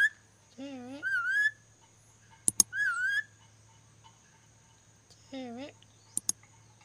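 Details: Ornate lorikeet learning to whistle: a few short slurred whistles mixed with lower, nasal, harmonic-rich calls, separated by sharp clicks and quiet gaps over a faint constant hum.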